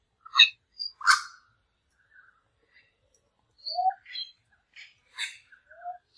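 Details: Young male lyrebirds in Australia quarrelling over territory: loud harsh bursts mixed with short whistles and chirps of shifting pitch, delivered in irregular clusters with brief silences between them.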